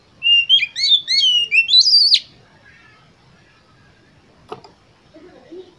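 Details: Oriental magpie-robin song meant to get contest birds singing quickly: a two-second run of loud, rapid whistled notes sliding up and down, ending in a sharp high rising phrase, then near-silence with a single click and faint low sounds.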